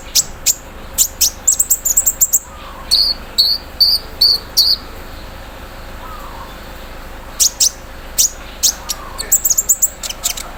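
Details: Caged olive-backed sunbird in morning dew airing gives its embroidery-machine fill-in: clusters of rapid, dry, very high stuttering notes and buzzy bursts, separated by short pauses, then more quick chips.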